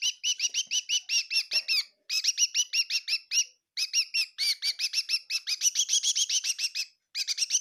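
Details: A bird indoors in a kitchen, Tseminyu, Kohima, chirping almost nonstop: long runs of quick, high, even chirps with brief pauses between runs.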